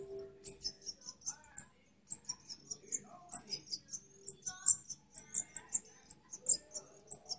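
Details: Parva goldfinch in a breeding setting: sharp, very high twittering notes in quick irregular runs, roughly every fraction of a second, with occasional lower tones and a faint steady low hum.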